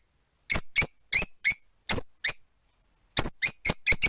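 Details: Rosy-faced lovebirds, four indoors in a cage near a window, uttering loud, piercing chirps about every quarter second, a short pause, then a quicker run of five.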